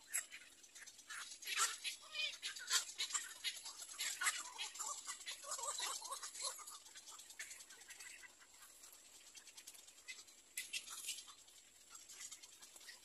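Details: Nestling little egrets waiting for the mother bird make rough, scratchy squawks in dense runs that thin out toward the end, with short pauses between groups.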